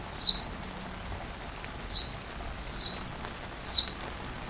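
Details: Sunbird song for teaching a white-rumped shama: thin, very high whistled notes sweeping downward, given singly or in quick pairs, with one note about every second and a short tick between.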